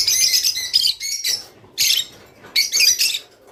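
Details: Rice finch, with song used to urge birds to mate: a few quick, high, tinkling chirp phrases, each about half a second long, separated by short silences.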